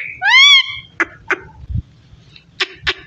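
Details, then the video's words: Talking parrot gives a loud, smooth harmonic whistle that rises and falls, followed by several short sharp clicks and chatter bursts over a low indoor rumble. "So sweet parrot talking"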